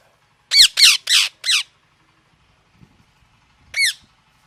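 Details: Pet parrot's harsh chirping: a fast run of four grating, down-slurred squawks, a pause of about two seconds with faint soft rustling, then one more rasping squawk.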